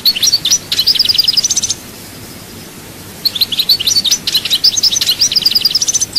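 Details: European goldfinch from Souk Ahras, Chaayba, Algeria, singing two rapid bursts of high, tinkling twittered notes with trills, separated by a brief pause; quiet background.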